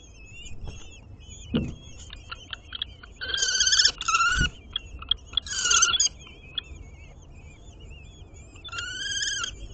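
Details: At a city nest on a ninth-floor planter in Aguadulce (Almería), common kestrel chicks are fed a swift by the female while the male brings a chameleon; loud harsh squealing bursts alternate with thin wavering whistles and a few knocks.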